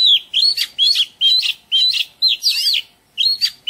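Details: Oriental magpie-robin singing in a garden: loud, melodious whistled phrases, each a short slurred rising-and-falling motif, repeated about twice a second with brief pauses, over a quiet background.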